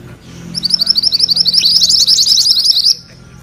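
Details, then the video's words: Rolling song of mantenan kuning: a rising, rapid series of high, clipped notes that speeds into a dense rattling trill before stopping abruptly. "Suara MANTENAN KUNING ngerol"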